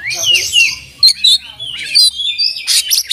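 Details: Kacer (oriental magpie-robin) singing a varied, imitation-laden phrase: a sweeping warble, then short sharp notes, a long wavering whistle, and closing rapid chirps, with a soft low hum beneath.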